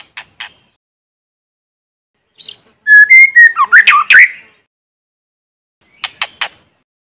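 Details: White-rumped shama lure bird singing in forest to rouse other birds, with no background noise: scattered sharp clicks, then one brief burst of whistled notes and tumbling harsh chatter, followed by silence and a few more clicks.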